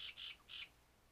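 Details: A great reed warbler filmed at its nest near Grachevka gives a brief song burst of three harsh, grating syllables in quick succession, then falls silent over a quiet background.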